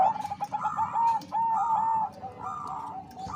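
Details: Bangkok-type zebra dove female calling a male, used to raise breeding urge: loud, clear cooing notes, some held and gently wavering, in two long phrases followed by softer broken coos, with a low rumble beneath.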